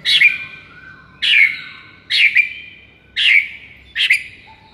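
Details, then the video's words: White-rumped shama masteran recording for luring: five loud harsh sharp calls, each with a short trailing whistle, repeated roughly every second. "MASTERAN EFEKTIF untuk Pikat Murai LOYO seketika langsung NGAMUK"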